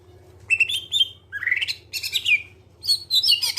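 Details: Clear greater green leafbird song, a lure for other birds to sing: whistled phrases, a rising buzzy slide, dense scratchy chatter and high twittering notes in quick succession, over a faint low hum.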